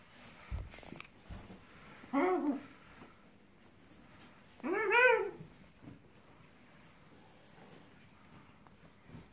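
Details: Green-winged macaw wrapped in towels after a shower, giving two short harsh calls a few seconds apart with a rising-falling harmonic tone, otherwise a quiet indoor room with faint rustling.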